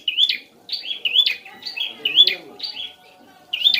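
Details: Prinia song meant to draw an answer from a ceplier: bright chirped phrases that rise then dip, repeated in quick pairs, separated by brief pauses, over soft background voices.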